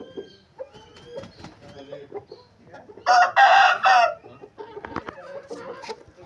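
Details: Aseel rooster crowing: one loud, harsh, three-part crow of about a second, with softer clucks and small chirps before and after.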